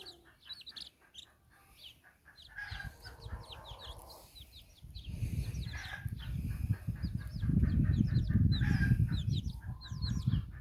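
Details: Hen out walking with her nine chicks in Bizkaia, Basque Country. High, thin chick peeps descend in rapid strings over a few soft low clucks, while a heavy low rumble of wind or handling noise grows through the second half.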